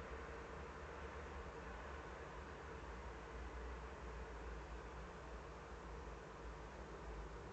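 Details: Steady broadband rumble and hiss, strongest in the low end, with no animal voice.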